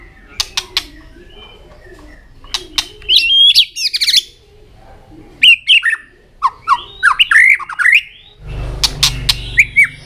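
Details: Caged white-rumped shama singing and flicking its tail, used to prompt young birds to sing: scattered sharp clicks, then bright warbled whistles and downslurred notes in a lively series, with a short burst of low rumbling noise near the end.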